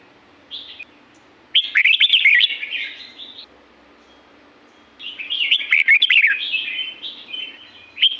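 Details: From the forest at Pa La-u, Thailand, a red-whiskered bulbul gives a short note, then a long bubbling, slurred whistled phrase. After a pause comes a second extended warbling phrase that ends on a sharp note.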